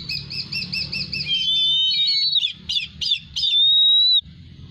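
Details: Golden eagle giving a quick trill of high, arched whistled notes that slows into longer thin whistles and a few clipped yelping notes, ending with one drawn-out high whistle.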